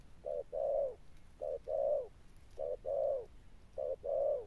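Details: Spotted dove, a wild-caught bird, giving its 'Sấm Thổ' coo: four paired phrases, a clipped opening note then a drawn-out, slightly falling hoot, spaced about a second apart against a quiet background.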